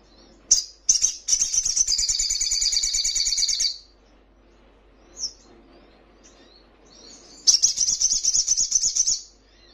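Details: High, rapid trilled song of a little spiderhunter, played to caged birds to draw a reply: two short chips, a three-second buzzy trill, a lone note, then another two-second trill.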